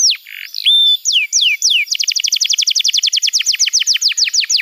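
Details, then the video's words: Young-canary training song. Scattered whistled slurs give way to a rapid, evenly repeated series of bright down-slurred chirps. "Masteran Kenari PAUD & Pancingan Kenari MACET BUNYI‼️"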